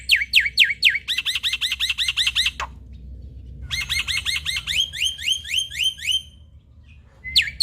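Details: Male black-winged myna (white starling) song used to coax lazy captive mynas into singing: fast bursts of harsh, slurred whistles, about four notes a second, in chattering phrases broken by short pauses.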